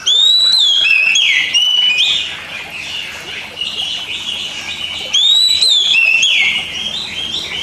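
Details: Basic master song of a caged Oriental magpie-robin for birds that seldom sing. A loud phrase of slurred rising and falling whistles, quieter warbling between, then the phrase repeats about five seconds later.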